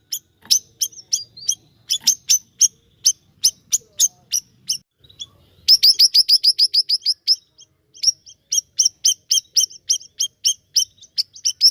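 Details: Vigorous siri-siri song: steady series of piercing high chirps, breaking into a fast tight trill mid-way, then spaced chirps again, about three per second.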